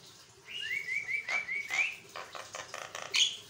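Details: Javan myna in nonstop song for training other birds: a smooth run of linked whistled notes, then a string of short rasping chatters and one sharp high note.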